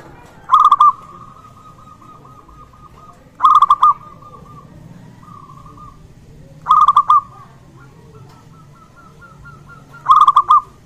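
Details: A local zebra dove sings strongly to coax other zebra doves into calling and rouse them. Four bubbling coo phrases come roughly every three seconds, each a rapid stutter of notes with a held ending, and softer trilled coos sound between them.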